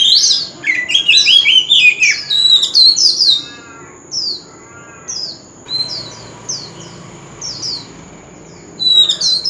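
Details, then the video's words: A male White-rumped shama sings continuously in a fighting-song contest. It gives an opening flurry of rich, varied whistles, then a spaced series of short descending high notes roughly every half second, over a faint steady high hum. "Chòe Than Trống Hót Liên Hồi – Âm Thanh Chuẩn Giọng Rừng - Chích Chòe Than Hót Đấu"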